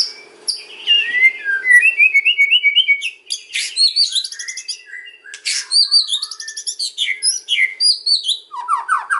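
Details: White-rumped shama in the kretekan song style, used as a lure to make other shamas answer: rapid run of high chirps, then whistled notes stepping upward in a quick series, dense bursts of sharp twittering and falling slurred notes, steady faint hum beneath.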